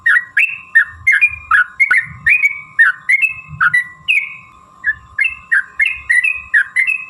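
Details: Sooty-headed bulbul in lively fighting-style song with long runs, used as a lure to make other bulbuls sing: short slurred whistled notes, rising and falling, repeated about three per second, with a steady faint hum and soft low thumps.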